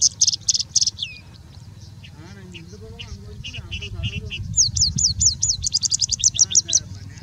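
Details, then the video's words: Singing Bush Lark in India singing continuously for over three minutes, a fast, varied song of high chirps, trills and slurred whistles, mimicking Indian Robin, Pied Bushchat, Plain Prinia, Common Woodshrike and others; faint low murmur beneath. "Singing Bushlark singing and mimicking for more than three minutes straight"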